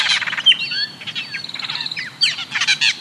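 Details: Austral Blackbird (tordo) song from Chile, a highly social, flock-dwelling bird; it opens with a dense buzzy chatter, moves into a long sustained whistle with swooping slurs, then ends in loud, harsh, stuttering bursts.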